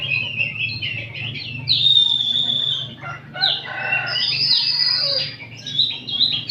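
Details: Many oriental magpie-robins singing together in the afternoon, a crowd recording meant to train other birds: loud overlapping whistled phrases, long sustained high notes and sliding slurs, with a low steady hum beneath.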